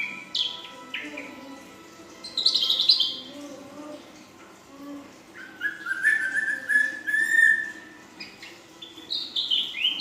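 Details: Song of a young female ashy drongo, 'full isian' style with long 'nembak' phrases: sharp rising sweeps, buzzy high bursts and a long level whistle, broken by brief pauses, with a steady low hum beneath.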